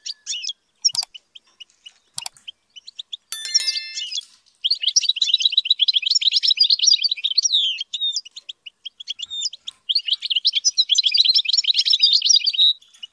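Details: Song of a European goldfinch being trained to sing high: scattered chirps and a couple of sharp clicks, a brief buzzy rasp, then long stretches of fast, dense, tinkling twitter.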